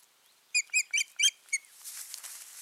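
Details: Osprey pair at the nest on 14 June 2019, in a season when their breeding failed; five loud, clipped whistled yelps with upward-sliding tails, then rustling and soft background noise.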